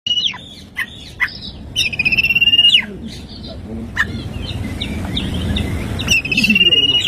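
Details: Oriental magpie-robin singing in the morning, a song full of filled-in 'tembakan' phrases: loud pulsed trills held on one pitch, sharp downward whistles and brief chips, with faint low background rumble.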